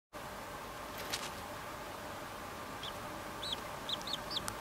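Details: A short-clawed lark (Certhilauda chuana) nestling begs for food, giving thin, high, arched begging notes, about six in under two seconds, over a steady background hiss.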